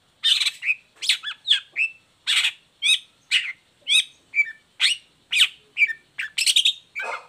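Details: Caged long-tailed shrike singing hard after its cage cover is removed, a lure to make sluggish or moulting shrikes sing: steady run of harsh rasping notes mixed with short whistled slurs, about two per second.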